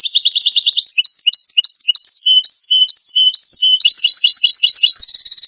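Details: European goldfinch singing, a recording meant to lure goldfinches into traps: continuous liquid twittering with rapid trills, varied chirps and tinkling phrases, about two notes a second in the looser middle part, clean background.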